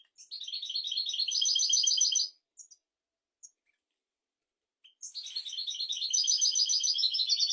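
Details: European goldfinch singing a teaching song for goldfinches and canaries: two long, loud, rapid trills of about two seconds each, separated by a pause with a few short high chips.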